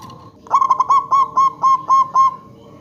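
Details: Lure zebra dove, local type, singing one clean phrase of about nine short, ringing coos that slow slightly as the phrase goes on, over a quiet background.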